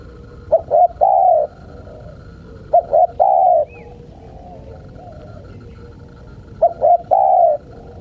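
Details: Spotted dove calling to lure wild birds: three repeated phrases about every three seconds, each two short hollow notes followed by a longer drawn-out coo. A faint, brief higher chirp from another bird is heard between phrases.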